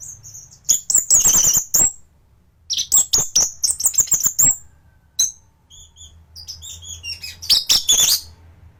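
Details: A champion-grade thrush, recorded as tutor material for training other thrushes, delivers dense bursts of sharp high chirps and whistled slurs in three loud clusters separated by short pauses, with a few thin isolated notes between.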